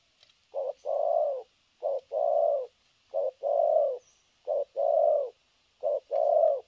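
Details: New spotted dove trapping decoy under test, recorded 3/12/2022, coos without pause in thổ cấn sấm nước style: five regular two-part phrases, a short note then a long low coo, roughly every 1.3 seconds, with soft hiss behind.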